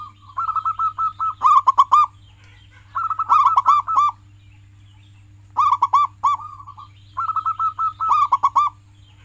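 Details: Local zebra dove (perkutut) in full song, used as a tutor recording to coax silent pet doves into singing: four bursts of rapid rolling, trilled coos with a louder, ringing final flourish, over a steady low electrical hum.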